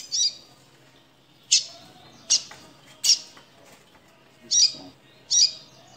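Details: Double-collared seedeater, caged and frightened, giving a 'chia' call as it tries to leave the cage: sharp, high, buzzy chirps in irregular bursts about a second apart, some with clicky broadband snaps, over faint low hum.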